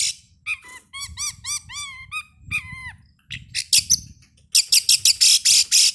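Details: Lure song of the Oriental magpie-robin, meant to encourage singing before a contest: quick chains of curved, liquid whistled notes, then a pause and a fast run of loud, harsh, grating bursts.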